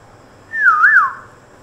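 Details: Pet African grey parrot answers a question about how the koel sounds with one loud clear whistle that glides down, then swoops up and falls again, lasting about half a second in a quiet indoor room.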